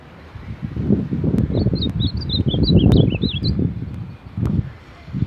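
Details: Baderna-style song of a champion Ultramarine grosbeak: a hurried two-second run of looping, up-and-down whistled notes, masked partly by loud low rustling and fluttering thumps and a few sharp clicks.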